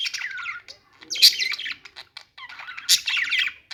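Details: Short budgie phrases: a falling squeaky warble, a pause, then sharp chirps and a bright scratchy burst of chatter.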